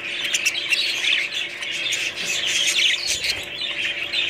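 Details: A group of budgies keeps up busy warbling chatter, high twittering notes and short squawks layered over one another without pause, with a faint low thump near the end.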